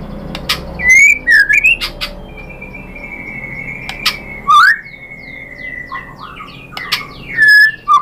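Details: White-rumped shama singing as a lure for other shamas: sparse whistles, a long steady drawn-out whistle, then rising and falling whistled notes with quiet gaps.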